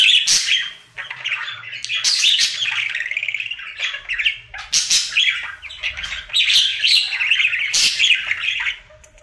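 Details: Pet budgerigar, a male, in its daily singing routine indoors: continuous chattering warble of scratchy, buzzy notes and short squawks, with bright whistled bits rising and falling between loud bursts and brief pauses.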